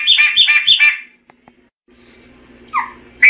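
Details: Chopi blackbird giving three fast rich whistled phrases, then quieter background and a soft falling note near the end.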